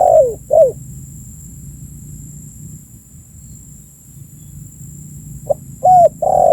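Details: Spotted dove calling, used as a lure to attract birds: two short, mellow cooing notes open, a long quiet pause follows, then further soft coos near the end, over a steady high-pitched electronic whine.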